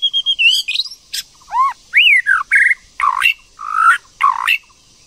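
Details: White-rumped shama female stimulating a male: a rapid mix of whistles, arched rising-falling notes and harsh buzzy chips, several loud bursts over five seconds.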